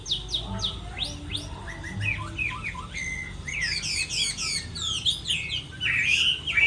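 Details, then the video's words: Chinese hwamei in a moulting-season singing contest: several sharp upward-sweeping notes, then a rapid jumble of high chirps and whistled phrases, with possibly other birds in the background. "Họa mi hót đấu mùa thay lông"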